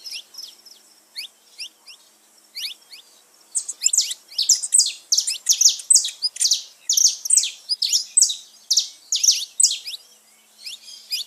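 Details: Saffron finch singing, recorded to stimulate pet birds: about three seconds of sparse, thin high chirps, then a loud, fast stream of sharp descending chirps, several per second.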